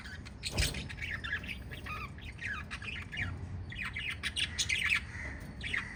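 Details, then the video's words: Five pet lovebirds in a family group chirp together: shrill, scratchy chirps and short squawks overlap in quick irregular bursts, with a faint low hum in the background. "Five Little Lovebirds Chirping Sounds"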